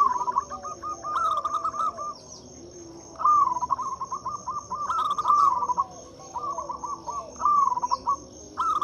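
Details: Loud local zebra dove song meant to coax mute doves into singing: a near-continuous run of fast, trilling coo notes in long phrases, accompanied by a steady shrill insect tone and brief high chirps.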